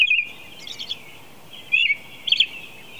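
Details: Predawn song of an American robin at 4:00 a.m., a few short warbled phrases separated by a long gap, with a faint continuous wash of distant birdsong behind.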